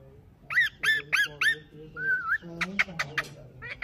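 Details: Pet ringneck parrot heard in a short burst of vocalising: a series of nasal, honking squawks, a brief warbled whistle, then rapid harsh calls repeated in quick succession, with faint voices in the background.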